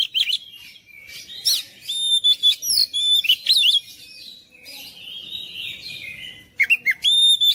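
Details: Oriental magpie-robin song meant to stir silent, lazy magpie-robins into vigorous singing: loud, varied whistled phrases with clear ringing notes, broken by a softer rambling warble midway, then a fresh burst of sharp whistles.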